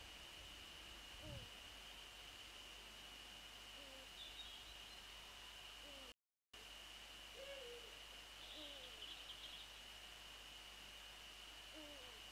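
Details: Dawn calling of a Eurasian eagle-owl pair, male and female, on 28 February 2014 shortly after 6:27: a series of faint, low, falling hoots every one to two seconds, with brief high bird chirps and steady hiss.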